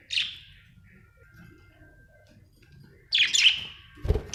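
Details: Happy budgie: a single high, scratchy chirp, a long quiet stretch, then a louder raspy chirp burst followed by a dull low thump.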